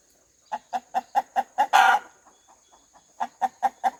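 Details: Farmyard rooster: six crisp, evenly paced clucks build into a loud raspy squawk. Softer clucks follow, then a final run of strong regular clucks.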